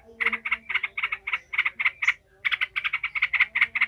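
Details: Angry yellow-vented bulbul 'ngekek' chatter meant to train other bulbuls for fighting: an even string of rasping notes about four per second, one short pause, then a faster run, over a soft hum.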